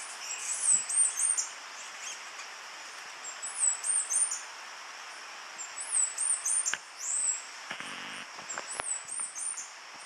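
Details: Black-headed Brushfinch at Cocorna, Magdalena Valley, Colombia, in October, giving very high, thin, sibilant phrases in short bursts every two to three seconds, with a few faint clicks and knocks between.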